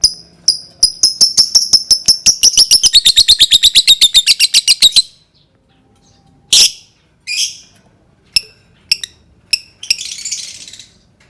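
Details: Calls of a lovebird for triggering song in others: a rapid train of sharp ticking notes, about three per second, with a clear high tone that slowly drops. After a silence, scattered harsh squeaks and a short hiss follow.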